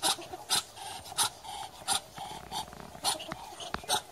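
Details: Muscovy duck giving short breathy, hissing puffs at irregular intervals, with a faint thin whine between some of them; no other clear sounds.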